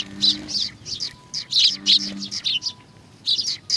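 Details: At Tenmangu shrine in Nakanoshima on 21 June 2020, sparrows arriving to be fed give dense, husky chirps in fast runs, with a low tonal drone at intervals.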